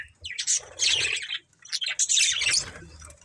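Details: A budgie family gives scratchy, warbling chirps in two bursts, the notes sliding and buzzing, with low rumbling underneath.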